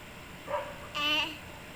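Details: Pet cockatiel, angry at being woken from sleep, gives a single harsh, high, rasping screech of about a quarter second after a short human voice, in a quiet room.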